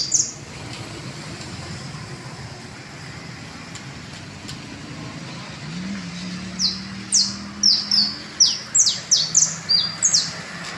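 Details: Canaries (described as "bastos", common type) in Valle Las Delicias give a quick run of about a dozen bright, high, down-slurred chirps over the last four seconds, with a low traffic rumble underneath.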